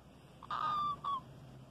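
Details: Albino white Indian ringneck parakeet chick, captive, in Karachi, Pakistan, gives two steady, nasal tonal calls: a long flat note of about half a second, then a shorter falling note, over a faint low hum.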